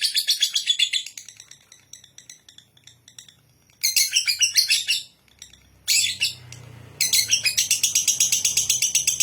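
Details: Ngekek song by a lovebird: repeated rapid shrill chattering phrases with gaps of faint ticking, over a low background hum.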